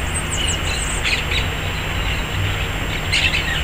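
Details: Yellow-chevroned parakeets visiting a red guava tree at the Piracicaba city hall; shrill, squeaky chirps in short clustered bursts near the start and again near the end, over a steady low rumble of traffic.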